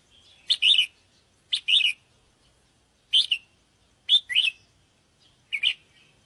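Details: Bird-luring recording of a sooty-headed bulbul giving five short, chirpy two-part phrases, spaced roughly a second apart, bright and bubbly.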